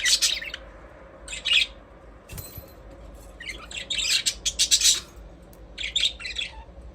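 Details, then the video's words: Budgie parrots chirping in short, scratchy bursts of twittering and squawking notes, grouped into clusters with brief quiet gaps between them. "Budgies parrot chirping sound"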